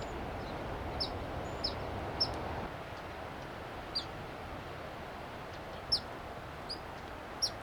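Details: Black phoebe perched on an arroyo willow at Asilomar Dunes, California, giving its sharp whistled call, typical along southwestern creeks and ponds. Brief, high, downslurred chip notes come about seven times in eight seconds at uneven intervals over a steady low rushing background.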